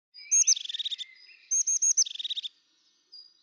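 Crested tit giving its call twice: a few very high thin notes that run into a fast, purring trill, with a faint third note after.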